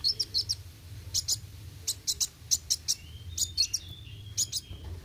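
A sunbird gives quick bursts of sharp, high, ticking chirps, with a thin rolling trill near the end, over a low background rumble.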